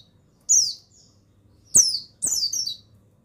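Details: Tutor song of a male Bustomi mountain white-eye: one short high chirp, then two quick bursts of sweet, downward-sliding twittering notes, with clicks and a faint low background hum.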